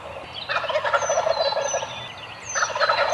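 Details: Roosting Eastern wild turkeys in the morning: two loud rattling gobbles, the first about a second and a half long, the second starting near the end, with small birds whistling high overhead.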